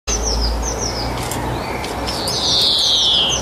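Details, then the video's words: Common starling singing a jumble of high, thin downslurred whistles ending in a longer wheezy, rasping phrase, over a low steady rumble. "Common Starling Songbirds, Songs Birds"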